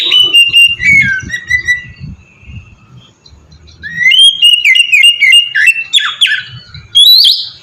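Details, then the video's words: Oriental magpie-robin (kacer) in ngeplong song used as bait to get birds singing: pure whistled notes falling in steps, a pause, then a rapid rising run of whistles and chatter. "suara burung kacer ngeplong merdu sangat ampuh buat pancingan kacer bahan bikin cepat gacor"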